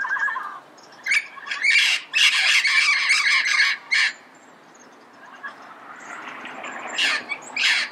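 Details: Red-crowned amazon recorded early morning in Pasadena giving harsh, loud screeching squawks in clustered bursts, a quieter pause in the middle, then more shrill squawks at the end.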